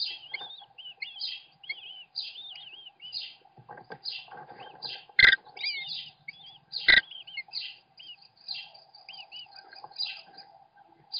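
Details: Father American kestrel feeding his young at a webcam-watched nest; a busy stream of thin, curving high chirps and squeals repeated throughout, broken by two sharp loud knocks midway and a faint rustle.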